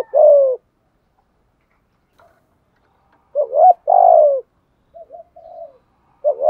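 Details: Spotted dove coo in thúc gù style, used to provoke rival doves: a long falling coo, then a full phrase of two short notes and a sustained descending coo, followed by soft wavering murmurs.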